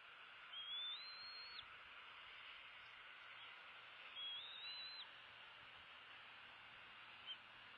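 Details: Nest of two bald eagle eaglets on February 16, 2016, one well fed and one biting its sibling's tail; two drawn-out high thin whistles, rising and wavering, then a short faint peep, amid steady background hiss.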